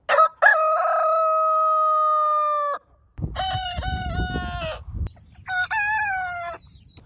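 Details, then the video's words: Rooster crowing at morning: a long sustained crow with a steady held tone, then a second crow over low rumbling noise, then a third, higher, shorter one, separated by brief pauses. "Morning Hen Sound & Rooster Sound Effect - Cock Dance Suara Ayam Jago Berkokok"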